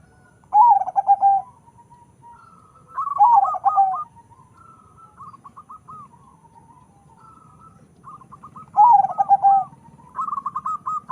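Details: Crossbred zebra dove of local and Bangkok stock, bred for a large voice; three strong rolling coo phrases, each under a second, separated by quieter stuttering notes, over a low background rumble.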